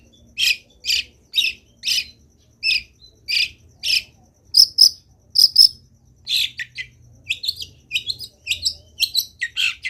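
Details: Long-tailed shrike in lively, vocal song full of fill-in phrases: a steady series of short harsh buzzy bursts about twice a second, then quicker varied high chirps and squeaks.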